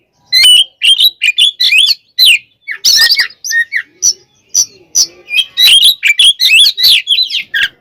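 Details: Continuous aggressive song of an oriental magpie-robin meant to provoke rivals: rapid chattering notes, wavering whistles and scratchy bursts strung together with almost no pauses.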